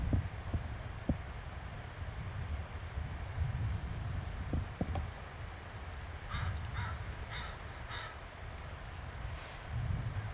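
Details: Heron near Vancouver B.C. in a tidal zone with hundreds of eagles on the longest day, calling upset, likely a fight between herons or an eagle too close: four harsh, rasping squawks about half a second apart over low wind rumble and dull knocks.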